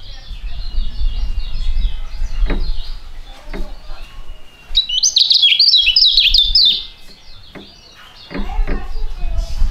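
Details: Two young songbirds singing together in a duet, both described as fighting-type birds with good contest records; scattered short chirps, then a dense, rapid, high twittering burst midway, with a low rumbling background throughout.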